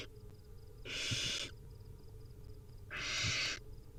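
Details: Two rasping hissed screeches from hungry wild barn owl nestlings at feeding time, well separated, with faint ticking and low rumble behind.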